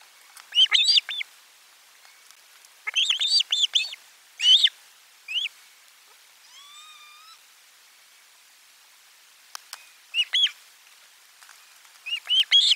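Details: Osprey at the nest as a lunchtime fish arrives, nest camera four, 12 July 2022: repeated clusters of piercing, high chirps and one wavering, drawn-out whistle in a pause before the chirping resumes.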